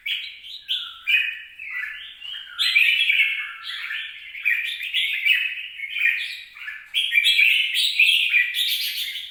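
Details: Song of a red-whiskered bulbul, 26 April 2022: nearly nonstop cheerful warbling, short slurred notes stacked in rising and falling steps, growing busier toward the end.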